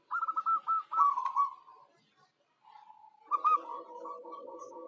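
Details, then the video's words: Zebra dove used as a decoy to attract wild birds: a stuttering trilled coo sequence fading out, a pause, then quieter rolling notes over a low murmur. "Suara Perkutut Lokal Jagoannya Pancingan"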